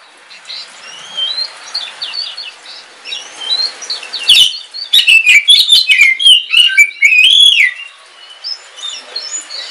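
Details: Oriental magpie-robin of the black Kalimantan form, caged at home, in song during rain: soft distant-sounding whistles at first, then a burst of loud, rich, rapidly changing whistles and chirps with sharp clicks.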